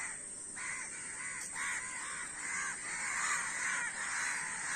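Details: Crowd of crows cawing almost continuously, rasping harsh calls overlapping from several birds, rapid and uneven, over a constant hiss.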